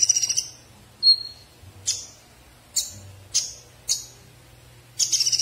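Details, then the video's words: Konin bird song: a rapid buzzy trill, then one clear high whistle and a series of sharp explosive chip notes roughly every half second, ending in another quick trill. "SUARA KONIN SUPER JOSS"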